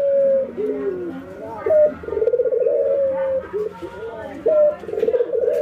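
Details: Ringneck doves in routine singing training, a white albino bird against a local one, nodding and laughing: overlapping steady coos and rattling, trilled laugh-like phrases, several in quick succession, with faint room noise beneath.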